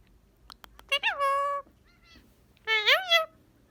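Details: A male pet Indian ring-necked parakeet that talks gives clicks, then a long harmonic-rich call with a rising start, and a second wavering, wailing, somewhat cat-like call, recorded indoors with no other sounds.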